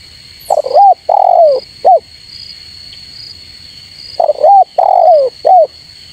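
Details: Spotted dove giving its rival-calling coo: two identical phrases roughly 3.5 seconds apart, each hoarse, low and three-parted with a drawn-out falling middle note, and a steady thin electronic whine throughout.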